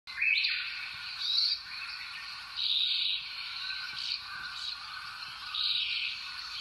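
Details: Brambling song: long, drawn-out, buzzy wheezing notes, each lasting about a second, repeated at intervals, over a faint steady background hiss.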